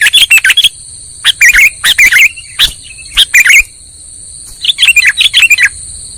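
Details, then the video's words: Lure call of a sooty-headed bulbul for trapping: clusters of sharp chirps, a longer quiet stretch, then a final burst of chirps, over a constant thin high tone. "SUARA PIKAT BURUNG KUTILANG"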